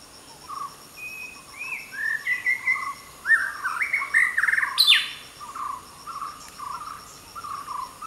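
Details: White-rumped shama (Copsychus malabaricus) singing in Coorg woods, India: a varied run of clear whistles and rich warbled phrases rising and falling, over soft lower notes from another bird.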